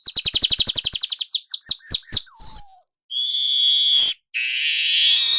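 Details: Active young weaver used to train other birds, singing a fast string of sharp ticking notes that speeds into rising chirps and a thin whistle, then long harsh buzzy rasps.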